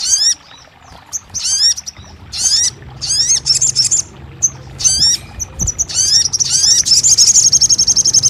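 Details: Crested jay in a recording meant to get a silent captive bird singing and answering: short bursts of harsh, falling, harmonic notes separated by pauses, building into a continuous high, rapid rattle at the end.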